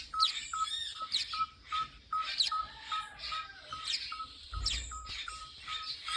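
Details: A tinker barbet at a South African wildlife rehabilitation centre gives a steady string of short, clipped, mid-pitched notes, about two or three per second, over busy high chirping from other birds.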